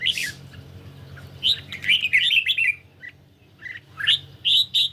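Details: Caged red-whiskered bulbul on a partly sunny day, dueling in song with a phone recording. Quick rolling whistled phrases and sharp chirps sound over a constant low hum.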